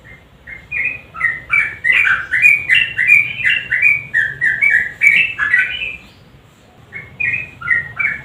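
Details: Sooty-headed bulbul in lively gacor nguklik style, combined with a garuda mix, played to coax silent birds into singing: rapid run of short, bright, slurred whistled notes, about two to three per second, with a brief pause near the end.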